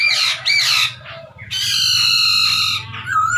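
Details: Chinese hwamei calling energetically, a recording meant to provoke rival birds; harsh, raspy bursts followed by a long, buzzy, steady tone lasting over a second, then a brief whistle.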